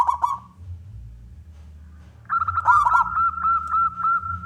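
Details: Zebra dove of a local wild strain singing loudly to draw other doves into singing. A brief rolling coo, then a quiet hum-filled pause, then a long steady pulsing coo with crackly bursts.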